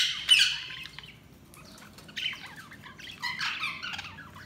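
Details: Budgies chirping in short bursts of high warbled chirps and squeaks separated by brief quiet spells.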